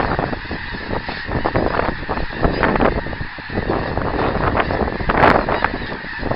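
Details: Flying geese recorded 24 January 2010: repeated harsh honks tumbling over one another, several birds calling at once against continuous broadband noise.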